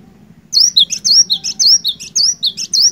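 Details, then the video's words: Cinereous tit in lively voice, used to draw song from an unresponsive bird: a rapid, steady string of bright, high two-part whistles, roughly ten phrases in two and a half seconds, with a faint low rumble behind. "Burung Glatik Batu Gacor, Cocok Buat Mancing Glatik Malas BUNYI"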